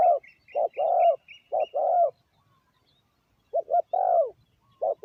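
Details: Caged decoy spotted dove calling to lure wild doves: low hollow coos of two quick notes then a drawn-out falling coo, phrases repeated about every three seconds, faint high chirps of another bird early on.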